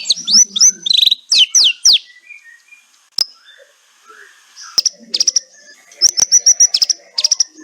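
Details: White-rumped shama, kretekan style, offered as a lure for shamas that will not sing: a few loud slurred whistles at the start, a long near-silent gap with a single click, then short rapid high chips.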